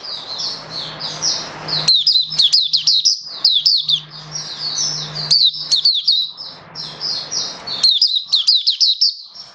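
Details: Mata puteh, the oriental white-eye, a hobby songbird recorded 21 October 2022 in 'buka sing raja' song: loud high chirping bursts repeated every few seconds over steady background hiss and a low droning hum.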